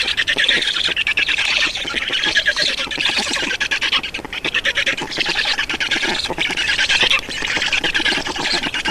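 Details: Feeding time at an Estonian black stork nest, 31 May 2019, early afternoon. A continuous stream of harsh, hoarse squawks pulses rapidly throughout, with only brief dips in intensity.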